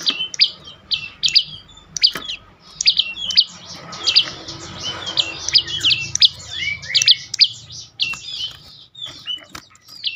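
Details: Bar-winged prinia (prenjak lumut) singing continuously, used to lure other birds to sing: a dense, rapid series of sharp high chirps and buzzy notes repeated for ten seconds over faint low background noise.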